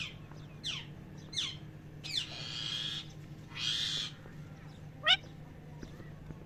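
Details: Parrot giving quick descending chirps, then two longer harsh, buzzy squawks each lasting about a second, and a final sharp chirp over a faint constant low hum.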